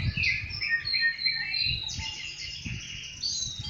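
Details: Rufous-bellied thrush singing in the wild, pouring out a rapid run of bright whistled notes and slurred warbles that rise and fall almost without pause, over a faint low background rumble.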